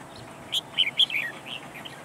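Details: Red-whiskered bulbul decoy used to lure birds into a trap, delivering a brief burst of clear whistled notes, rising and falling quickly over about one second, with faint hiss behind.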